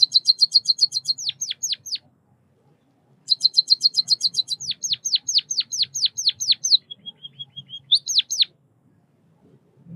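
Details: White-headed munia (Lonchura maja) giving rapid high-pitched chirps in quick runs, then a series of thin downslurred notes, in two bursts with a brief pause between.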